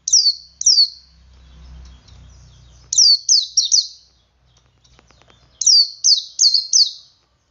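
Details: Male Oriental white-eye in ngalas song, meant to lure other white-eyes into singing: clusters of high, quickly falling chirped notes, two to four per burst, with a low rumbling hum between the first bursts.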